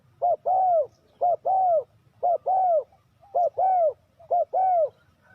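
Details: Spotted dove calling, a recording used to lure wild doves into traps: four paired coo phrases, each a brief note then a drawn-out mellow arched coo, repeated steadily about once a second, with low background hum.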